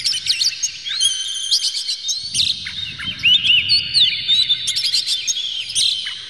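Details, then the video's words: Oriental magpie-robin song played as a provoking lure with rough, clear material: layered high whistles and slurred notes with rapid chirps, a steady flowing medley over the whole stretch with a faint low hum beneath. "PANCINGAN KACER Buka Ekor KONSLET bongkar MATERI KASAR JERNIH agar KACER emosi"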